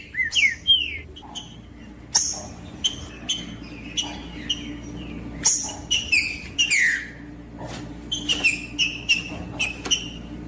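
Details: Green-winged saltator song played in the bush to rouse a quiet bird: scattered bursts of sharp whistled and chirping notes, some sliding down, separated by short pauses, with a low steady hum underneath.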